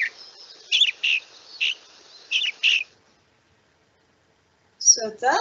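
California Thrasher song: a run of short, husky, mid-high phrases, each a little different, then a pause and a harsher burst, much like a mockingbird but rougher.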